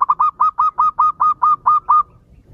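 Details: Local zebra dove used as a lure call to prompt other doves to answer, giving a quick run of about eleven soft, mellow, slightly upturned cooing notes, around five per second, then stopping.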